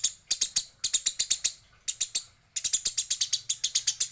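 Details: Fighting Eurasian tree sparrow, called female, repeats crisp high chirps in rhythmic bursts of about six to eight notes, separated by brief quiet spells.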